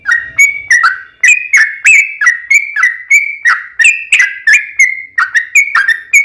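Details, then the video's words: Yellow-vented bulbul singing strongly in 'ropel panjang' style as a lure for other bulbuls: an unbroken, steady chain of liquid bubbly notes at about three per second. "KICAU SUARA trucukan gacor ROPEL PANJANG pancingan trucukan agar bunyi"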